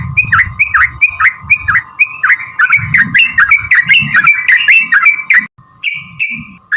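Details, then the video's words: Sooty-headed bulbul song used to stir other bulbuls into singing: quick repeated bubbling whistles with low rumbling noise, a brief break, then a few longer level whistles. "trucukan gacor TARUNG ROPEL PANJANG pancingan trucukan agar bunyi jadikan burung trucuk gacor EMOSI"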